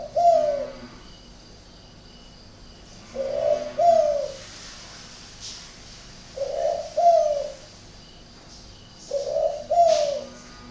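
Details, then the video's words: Spotted dove at a northern Vietnamese bird garden in Ba Vì, Hanoi, cooing in an unusual style: four low two-note phrases, a brief rising note then a fuller falling one, spaced roughly three seconds apart, with faint background noise. "cu gáy độc lạ hoắc"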